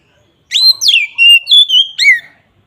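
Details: Oriental magpie-robin in a loud ngeplong-style song used as a lure for other magpie-robins: a single phrase of clear rich whistles, rising and falling slurs with a long level note, about two seconds long, no other sounds.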